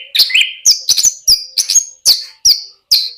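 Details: Lark giving quick, high, clipped whistles and chirps in a fast, uneven series.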